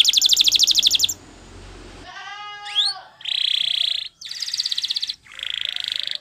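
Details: Champion Spanish Timbrado canary giving a training song: a rapid trill, a quiet gap, one rising sweep, then three bursts of rolling trills separated by short silences.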